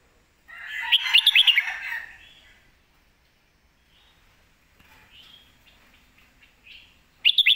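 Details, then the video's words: Red-whiskered bulbul singing in the 'lak wai' and 'mae bot' song styles: a bright burst of quick chirping, bubbly notes, then soft faint phrases, and another sharp chirpy burst at the end. "ลากหวาย/แม่บทชัดๆ เสียงดี"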